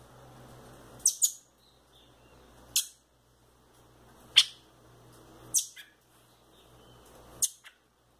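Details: Pet rufous-bellied thrush chicks, a lively male and a quieter female, give short, high, clipped chirps, sometimes doubled, about every one and a half seconds. A faint hum sounds between the notes.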